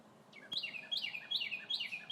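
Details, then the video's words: A red bird sings among trees in glorious spring sunshine, giving a rapid series of clear downslurred whistles, four or five phrases in a row, with a single sharp click near the start. "Red Bird Singing!"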